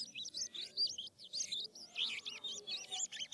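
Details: Asian glossy starling, Philippine bird in full voice, giving a varied rolling song to lure other starlings into replying: a steady stream of high, looping, squeaky whistled notes.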